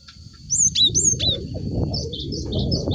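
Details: Cinereous tit lure song for stimulating caged birds housed in groups; a few loud high whistled phrases with downward swoops, followed by softer chirps, over strong low rumbling noise.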